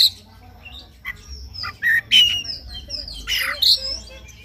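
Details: Morning singing of an Oriental magpie-robin, used to goad another bird into song; a few clear whistled notes and a harsh burst among softer twitters, with a low hum in the background.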